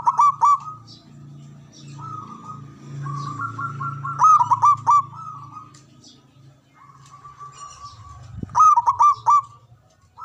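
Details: Local Javanese zebra dove, a loud, big-voiced, long-breathed singer used to lure birds and stir silent or stressed doves into song. Bursts of rapid staccato cooing repeat roughly every four seconds between longer drawn coos, over a low background hum.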